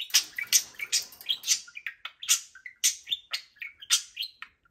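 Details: Energetic pet budgerigars, a pair kept in cages, on a Friday morning: a rapid run of bright, high chirps and short warbled squeaks, each note sharply attacked and falling away, repeated almost without pause.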